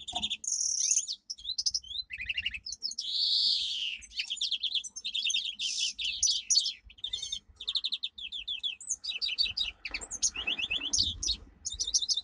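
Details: Domestic canary, a domesticated form of the Canary Islands finch, singing a powerful training song: continuous high, rapid trills and sweeping whistled notes changing every second or so, loud and varied throughout.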